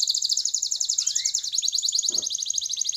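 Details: Canary song played to stimulate other canaries to sing: a continuous, fast, high rolling trill of evenly repeated notes, with a short rising whistle sliding up halfway through.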